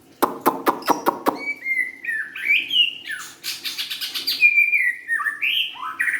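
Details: White-rumped shama song opening with a series of sharp, evenly spaced clicks. Fluid whistles follow, gliding up and down, then a buzzy rattle and more rising whistled notes.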